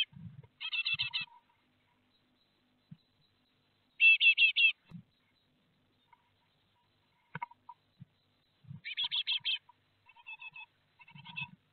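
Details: Great tit brood fledging at a nest in Théding, 12 May 2021; repeated clusters of rapid, buzzy chirps about every four seconds, softer short notes trailing off, and low scuffling thumps from the nest.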